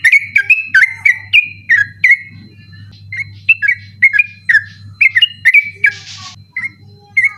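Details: Sooty-headed bulbul singing persistently at night, recorded as a training recording for other birds; loud, rapid series of bubbly whistled notes around mid-high pitch, repeated in quick bursts, with a brief hiss near the end and a low steady hum underneath.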